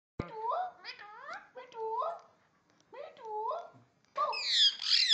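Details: Indian ringneck parakeet talking and barking: a run of short harmonic, bark-like notes with rising and falling tone in uneven bursts, ending in a loud, harsh, high screech.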